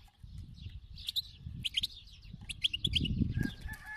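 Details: European goldfinch of the khalawi (wild) type, singing muffled, jangling twitters and buzzy notes partly masked by heavier low rumbling background noise.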